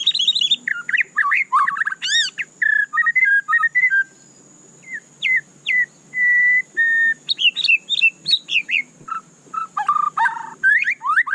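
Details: White-rumped shama singing a rich, varied run of whistled phrases: quick rising and falling slurs, short trills and steady held notes, pausing briefly midway before a faster, denser burst; a faint constant high whine underlies it.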